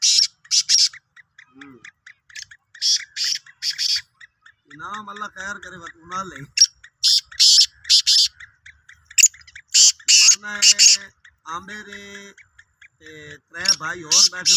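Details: Repeated scratchy broadband bursts from a Sindhi black francolin recur through the recording, interleaved with lower tonal harmonic sounds.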